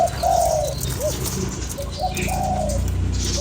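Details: Spotted dove calling to stimulate a lure bird: low hooted coos, one long drawn note near the start and another after two seconds, with short soft notes between, over a steady low hum.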